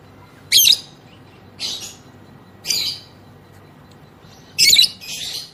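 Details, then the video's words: Female lovebird whose long trilling song is used to provoke other lovebirds to sing, here giving four short, harsh, high chirps about a second apart, one doubled at the end, with quiet between. "BURUNG LOVEBIRD BETINA NGEKEK NGETIK PANJANG || PANCINGAN AMPUH BIKIN LB NGEKEK"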